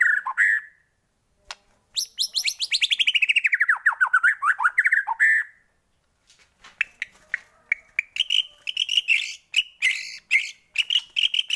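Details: White-rumped shama song played to stir shamas into singing: a long rapid rattle of descending notes, then a pause and dense sharp chips and high chattering phrases.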